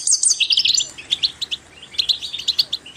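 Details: Goldfinch song played to encourage other birds to sing: rapid twittering run of bright high notes and short trills in quick bursts, pausing briefly mid-clip before resuming.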